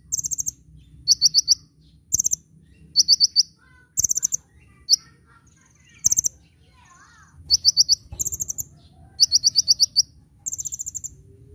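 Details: High, insistent song of a kolibri ninja sunbird, a training master for cage birds, gacor nyecret nembak: rapid bursts of thin ticking notes and sharp chips repeating for over ten seconds, with low steady hum underneath.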